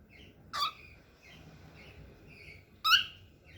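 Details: Small cockatiel walking for the first time: two loud, rasping, harmonic-rich squawks about two seconds apart, with soft, repeated chirps filling the gap between them in a quiet room.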